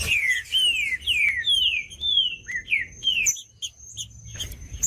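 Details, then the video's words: Green-winged saltator delivering a rapid series of rich, downward-sliding whistled notes for about three seconds, then falling silent; only a steady high tone and soft high chirps remain afterward. "TRINCA FERRO CANTANDO"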